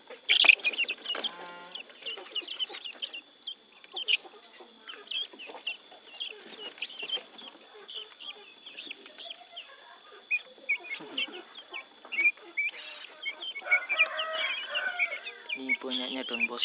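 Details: Newly hatched helmeted guineafowl chicks give a busy stream of thin, high peeps, with a voice speaking near the end.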